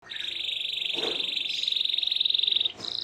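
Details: Canary song meant to prompt other canaries to answer and sing: a long, fast buzzy trill held at one high pitch for nearly three seconds, broken by a brief lower rasp, then a short new high phrase.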